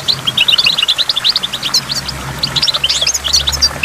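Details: Rapid, high twittering goldfinch song at a waterfall, with a rattling run of notes at the start and sparkling chirps later, and a low hum and water sounds underneath.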